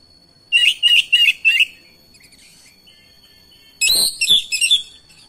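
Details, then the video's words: An oriental magpie-robin replies to another magpie-robin's singing and shows off its repertoire: four evenly spaced clear whistles, a quiet gap, then a loud burst of harsh chattering and whistled notes. "HITUNGAN DETIK KACER LAIN LANGSUNG RESPON IKUT GACOR NGOTOT BONGKAR ISIAN"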